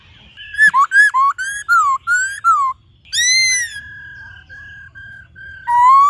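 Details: White-cheeked laughingthrush song, used to stimulate and train captive birds: loud clear whistled phrases with falling and rising slurs, a bright rising whistle, then a series of steady level whistled notes and a final rising whistle.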